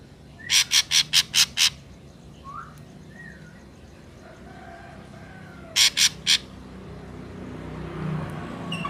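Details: Ashy drongo song used to lure birds for trapping: a quick series of six harsh buzzy notes, faint slurred whistles, then three more harsh notes over steady broadband background noise.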